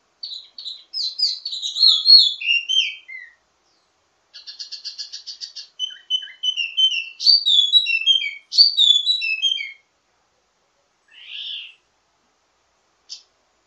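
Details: Ledekan (teasing) song of a wambi mini, an Indonesian songbird, full of variations for training other birds of its kind: chirpy slurred phrases, a buzzy rattling stretch, more whistled notes, then a pause and a few short final notes.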